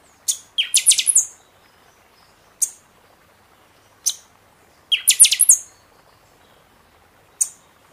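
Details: Buffy-fronted seedeater singing during the season to stir caged birds after moult: two bursts of rapid, very high, ringing notes, with isolated sharp chips spaced a couple of seconds apart between them.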